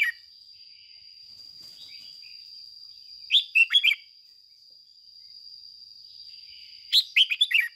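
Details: Red-whiskered bulbul kept as a lure, singing excited 'ché' phrases to provoke household and wild bulbuls: tight bursts of four or five loud whistled chirps roughly every three and a half seconds, a soft murmur between, and a constant high whine.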